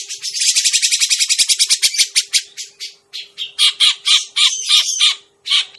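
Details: Grey-cheeked bulbul used to lure birds for trapping: a dense, harsh, rapid chatter for about three seconds, then slower, separate squawky chirps repeated at uneven intervals.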